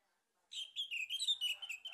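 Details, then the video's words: Male orange-headed thrush song, played as a lure to stimulate singing: a continuous rapid stream of loud slurred whistles and chattering notes with rich overtones. "PANCINGAN ANIS MERAH JANTAN PALING POPULER"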